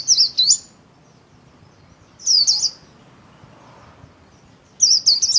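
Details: Captive white-eye performing its 'líu' song, wings spread: three short bursts of very high, rapid twisting warbled notes, separated by pauses of about two seconds, against faint low background hum.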